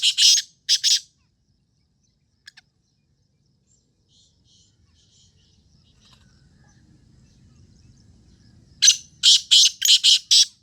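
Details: Black francolin giving harsh, grating notes in a quick rhythmic burst, then a quiet pause before another run of five or six rasping notes, with a faint low rumble in between.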